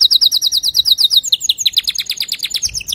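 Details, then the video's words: Male canary sings a tutoring song for young canaries: a fast string of bright descending chirps, repeated about three times a second and slowing slightly toward the end. "تغريد ذكر كناري صافي لتعليم صغار الكناري"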